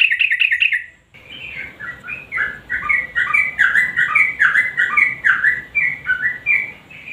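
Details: Energetic sooty-headed bulbul song played as a lure to set quiet birds singing: an opening run of quick notes, then a long, bubbling string of short, warbled, stepping phrases over a steady background hiss.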